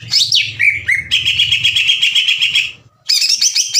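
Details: Green leafbird singing to provoke rival birds: sweeping whistles open into a long buzzy rattling trill, then a short silence and a renewed burst of rapid high chatter; faint low hum beneath.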